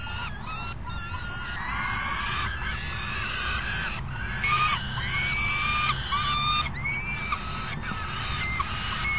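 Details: Falcon calling at an afternoon feeding, June 3 2021. Scattered hoarse, ringing notes, several bending upward, come irregularly over steady low background noise.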